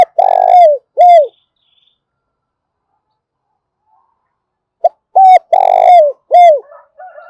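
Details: Spotted dove lure call to stimulate calling: two loud phrases several seconds apart, each of short arched coos and a long, drooping coo, softer cooing trailing at the end.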